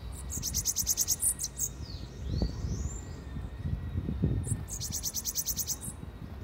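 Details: Morning song of a bananaquit said to sound unusual: a fast, high, buzzy series of repeated notes, then a quieter gap and another matching burst. Low rumbling noise runs underneath.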